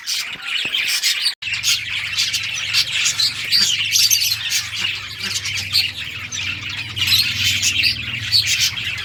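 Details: Budgerigars chirping and squawking nonstop while playing, a flock-like wall of short bright notes over a constant low hum that starts after a short drop-out near 1.4 seconds.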